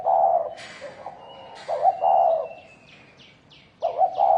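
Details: Spotted dove of thổ đồng type during fighting gives deep mellow coos, one long phrase and then a stuttering restart, while a high whistled tone and a quick run of descending chirps sound in the background.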